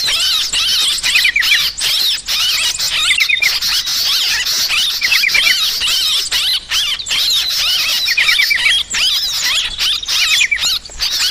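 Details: Sooty-headed bulbul lure recording of noisy calls, a busy, unbroken stream of shrill squeaks and quick twittering phrases with brief breaks, loud throughout.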